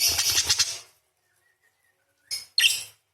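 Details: Energetic parakeet song with long rolling 'crecet' chatter: nearly a second of dense, scratchy, rapidly pulsed warbling, a pause, then two sharp separate chirps.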